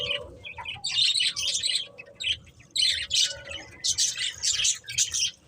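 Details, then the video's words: Colourful budgies giving harsh, buzzy chirps and squawky bursts at uneven intervals, with a low hum running underneath. "Beautiful Colourful Budgies Chirping Sounds"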